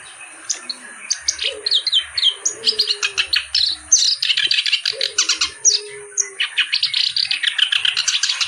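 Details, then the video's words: Kerak basi reed warbler singing vigorously: sharp squeaks build into long, fast runs of grating, chattering notes with brief breaks. Low soft whistles and a faint steady high tone run underneath. "BURUNG KERAK BASI GACOR CENGKOK LAGUNYA OK"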